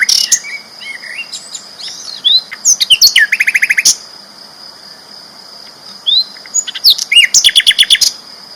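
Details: Sikatan londo flycatcher, a loud, champion-class songbird singing actively: varied chirps and sweeping whistles, with rapid buzzy trills near 3 and 6 seconds and a rattling burst late on, over a steady high whine.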